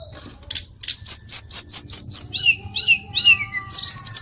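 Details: Mountain tledekan song: high, sharp notes repeated rapidly in a steady series, then lower slurred downward whistles, ending in a fast, very high trill.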